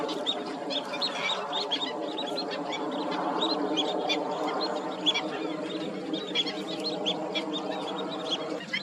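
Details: Asian openbill, a wading stork protected under Thai law: a dense, continuous chorus of low, nasal honking calls, with many short, high chirps from other birds scattered over it.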